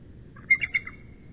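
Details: Incubating male bald eagle at the nest at midnight on March 10, 2013, calling back to his mate. Three quick high, thin chittering notes over a steady low background rumble.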